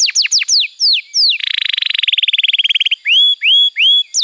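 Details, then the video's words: Canary song used to tutor young birds and coax non-singing canaries: quick falling whistles, then a dense buzzy rattle of rapid pulses, ending in upward-curving, drawn-out whistled notes. "Masteran Kenari PAUD & Pancingan Kenari MACET BUNYI"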